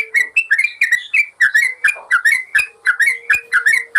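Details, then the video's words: Training master of yellow-vented bulbul song for birds gone quiet: short, liquid whistled phrases of two or three notes, rising and falling, following one another quickly over a faint steady tone. "Masteran burung trucukan bikin burung bermental"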